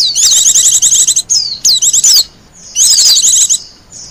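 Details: A wild Japanese white-eye sings brief bursts of thin, rapid high twitters and slurred whistles, with clear quiet gaps between phrases; suited to luring and master song.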